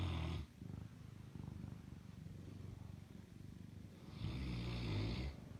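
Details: Fila Brasileiro dog snoring through the night on a bed beside its owner: a low, rattling rumble pulsing rapidly and steadily, with louder, harsher, breathy snorts at the start and near the end.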